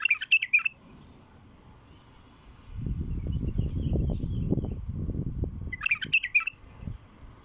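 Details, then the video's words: Wild bulbul singing raw song, used to attract wild bulbuls: two short bursts of quick, bubbly warbled notes, one at the start and one near the end, separated by a stretch of low rumbling wind or handling noise. "تغريد بلبل وحشي خام لفتح البلابل الوحشية"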